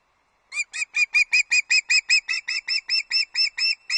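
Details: Early-morning osprey calls at Loch Arkaig, 31 August 2022, during a food delivery to the nest: a steady string of roughly seventeen sharp, high whistled yelps, repeated several times a second with little variation.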